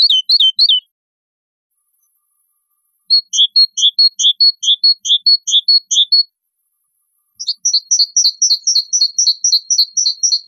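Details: A great tit sings three distinct song variants separated by pauses. The first is rapid descending pairs. The second alternates high and lower notes, about a dozen times. The third is a fast string of sharp rising-falling double notes. All are high-pitched and clear, with silence between them.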